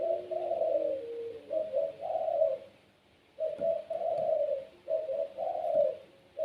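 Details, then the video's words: Pelung-type Barbary dove, a captive-bred seed-eating bird whose strong cooing prompts other doves to join in. Soft hooting phrases come in pairs, a brief note leading into a drawn-out rolling coo, with faint tapping in the background. "PUTER PELUNG SUARA GACOR||Bikin puter lain ikut bunyi."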